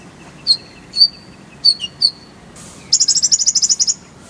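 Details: Konin, the Oriental white-eye, kept as a song bird and used as a training recording: clear high chirps at intervals, then a fast run of about twelve bright trilled notes near the end.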